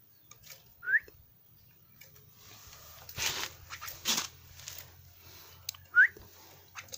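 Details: Caged young Javan myna kept as a pet: two brief rising whistle notes about five seconds apart, separated by rustling and shuffling sounds in the cage.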